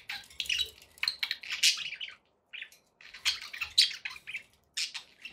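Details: Budgies in a happy mood give raspy, buzzy chatter and shrill squeaks in irregular bursts, broken by a short silent pause midway.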